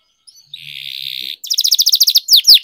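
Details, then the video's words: Canary song for singing training; a soft chirp, then a sustained buzzy roll, followed by a quick trill and a few loud down-slurred whistled notes. "Canary Singing Training, Kenari Gacor Ngerol Panjang"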